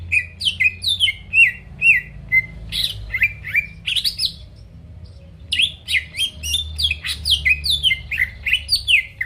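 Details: Greater green leafbird used to provoke rivals into song: long sequences of sharp down-slurred whistles and high chips, repeated roughly twice a second, broken by a brief quiet gap, over steady low hum.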